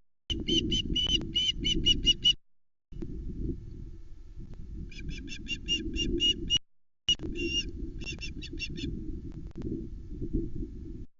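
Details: Nest cam at Loch Arkaig, 1 September 2020: a female osprey squawks while her mate delivers a live flatfish. Quick series of shrill whistled chirps in three bursts, separated by pauses, with constant low wind noise beneath.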